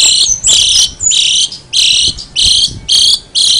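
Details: Brown shrike in full, lively voice making an unusual sound: loud, harsh, buzzy bursts about half a second long, repeated roughly every half second, with faint background noise.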